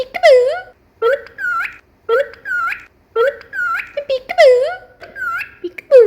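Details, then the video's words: Cockatiel kept as a pet, whistling in short repeated phrases about once a second, each a low swooping note followed by one or two brief level whistles, with a few quick upward flicks between. "Cockatiel whistling sounds"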